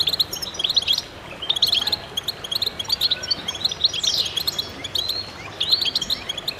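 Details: Chorus of goldfinches in lively song: bursts of high, tinkling twitter and chirps, with a sweeping descending note near the middle and steady overlapping phrases to the end.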